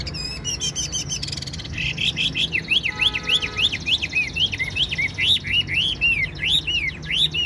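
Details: Caged Chinese hwamei, said to be 95% tame, delivering a loud, fast song of arched whistled notes repeated about three times per second, with high trills at the start and faint background noise.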